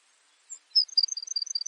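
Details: Baird's sparrow song: a few thin, high introductory notes, then an even, tinkling trill of about ten short, high notes repeated quickly over roughly one second, in quiet surroundings.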